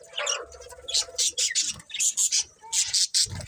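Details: Budgerigars chirping: a string of short, harsh, high chirps in quick bursts, some paired, with brief pauses between groups and faint low background noise.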